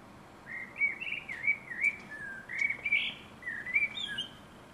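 A common blackbird sings a flowing, fluty warble of mellow rising and falling notes in quick phrases, with a faint high twitter here and there over quiet background hiss.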